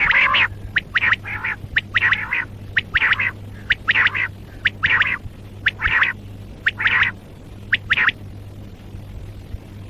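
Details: Common quail repeating harsh, buzzy bursts with slender high clicks, roughly one per second in loose groups, over a steady low electrical hum.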